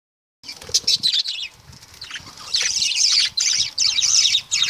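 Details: Lovebirds chattering: dense, shrill, high chirps in rapid overlapping bursts, a short pause near the middle, then louder continuous twittering.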